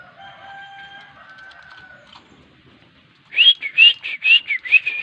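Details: Javan myna trained to give a greeting: faint steady tonal humming at first, then after a pause six loud, husky chattering notes with upward-slurred whistles, spaced about half a second apart.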